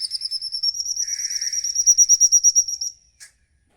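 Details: Songbird used as a lure call, giving a long, high, rapid pulsed trill that rises slightly and holds for about three seconds. A short chirp follows after a brief pause, over a quiet background.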